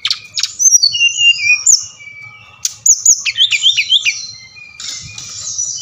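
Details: Bali brown-chested jungle flycatcher singing, in playback aimed at getting captive birds to sing. Varied whistled phrases fall in steps, then a fast run of looping, warbled notes follows, fading into softer high whistles.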